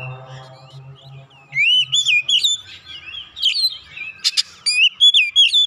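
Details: Oriental magpie-robin, agitated and singing persistently to provoke other birds, enters after a low droning hum; bright looping whistles follow in fast phrases, broken by one harsh rasping burst.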